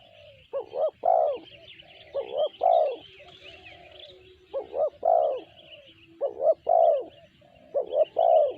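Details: Sanji-type voice of a spotted dove, four repeated low coo phrases of two quick hoots and a longer trailing note, spaced about two seconds apart, while small birds chirp softly in the background.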